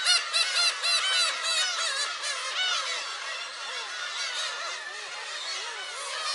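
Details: Many black-tailed gulls at a shrine, Friday 10 July: rapid, densely packed mewing and squealing calls, loudest at the start and then settling into a steady overlapping chatter of short, arched cries.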